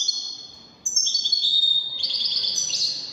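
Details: European goldfinch, Algeria, singing in the Widani manner: a fading high trill, a short break, then a fast string of bright jingling notes that rises and falls in pitch.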